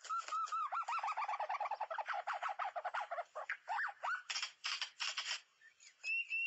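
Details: White-rumped shama, sound used with a mirror and MP3 to lure birds: quick chattering series of short repeated notes building into harsh, scratchy bursts, then a few thin high whistles.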